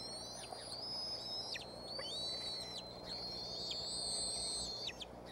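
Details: Bald eagle chicks in their Decorah nest on 06-03-2015, early evening, unhappy that the mother brought a stick rather than fish; a chorus of high, sustained whistled cries, layered and wavering, with brief downward-sweeping ends.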